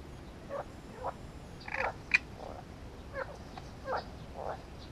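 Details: Great reed warbler song of low croaking, rasping notes repeated about twice a second, with one sharp louder note in the middle, against steady background hiss.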